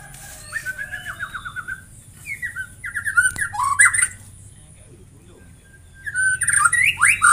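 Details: White-rumped shama song of varied phrases: a run of buzzy descending notes, then rising whistles and sharp squawky bursts, a pause, and another loud burst of rising whistled notes at the end.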